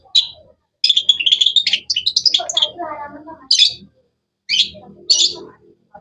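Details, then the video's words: Cendet (long-tailed shrike) in varied melodious chirping: a fast jumble of high twittering notes, a lower harsher stretch near the middle, then spaced sharp chirps separated by pauses. "Bird chirping sounds"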